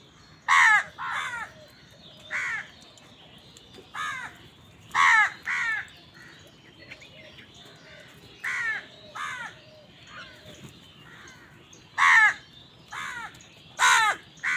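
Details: Many crows calling on a winter morning, described as fighting for food: harsh, hoarse caws in short bursts of one to three, spaced irregularly every one to two seconds, over a low steady background rumble.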